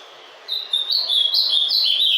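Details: Caged ultramarine grosbeak (azulão), kept by a breeder and just coming out of its moult, sings a fast run of warbled, slurred whistles that step up and down in pitch, starting after a short quiet moment.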